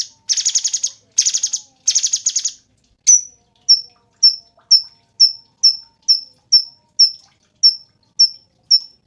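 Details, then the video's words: Cungkok kept as a master songbird for training show birds, giving three harsh buzzy rattling bursts, then a steady series of sharp, high, descending whistled notes about twice per second. No other sounds are heard. "SUARA BURUNG CUNGKOK SUPER GACOR"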